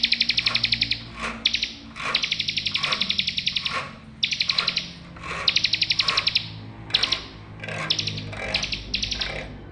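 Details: Bar-winged prinia song, played as therapy for birds that stopped singing. Loud, rapid trills of sharp repeated notes come in bursts of one to two seconds with short breaks, over a faint low hum.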